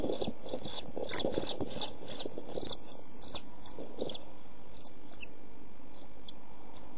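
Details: European pied flycatcher chicks in a nest box, during food shortage and hot weather, the smallest chick dying: rapid series of high, hissy begging bursts, dense at first then thinning to scattered single calls, over soft rustling and scraping in the box.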